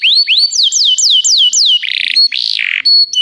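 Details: Canary song used for training other canaries: loud, high phrases of rising whistled sweeps repeated about every quarter second, then buzzy trills and steady piping notes.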